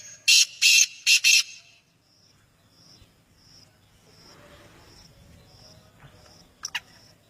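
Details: Black francolin (kala teetar) calling: four loud, harsh, grating broadband notes in a quick burst lasting just over a second, followed by quiet with a steady, high pulsing insect-like tone and a brief sharp double note near the end.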